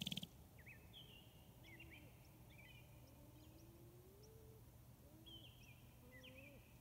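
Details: Sharp-tailed grouse (Tympanuchus phasianellus) performing a courtship dance to attract a partner, Glennallen, Alaska, 9 May 2018. It gives low, rising cooing notes and short high chirps, scattered and overlapping, over a steady low hum and background noise.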